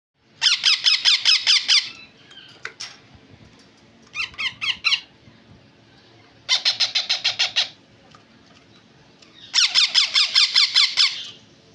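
Yellow ringneck parakeet chicks give harsh, rapid squawking bursts in bouts of several notes, pausing a second or two between bouts; a quiet room hum is underneath.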